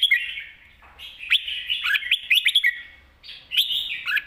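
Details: Red-whiskered bulbul singing mae bot style, a fluid chain of bright warbled and slurred notes with a short break before the final phrase.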